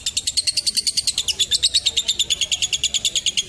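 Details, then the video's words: Lovebird giving a long ngekek, a chattering trill played to train young birds and tutor them. Sharp high chips repeat very rapidly and evenly for the whole stretch, with no other clear sounds. "Pacingan Lovebird Ngekek Panjang Untuk Balibu dan Masteran"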